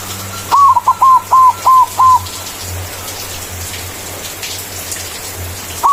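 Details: White zebra dove used as a lure to call a rival: a rapid run of about seven short curved cooing notes in two seconds, then silence until a new phrase begins, over patter and low hum.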